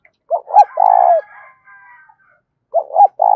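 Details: Spotted dove giving its coo to stir up decoy doves: a pair of short hoots and a long rolling note, then a faint higher harmonic call trails off before the next phrase begins.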